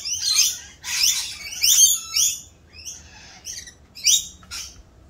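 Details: Mating-season rainbow lorikeets, raucous as they do their mating dance, give loud grating shrieks in quick succession, then thinner, softer squeaks and a final pair of sharp calls.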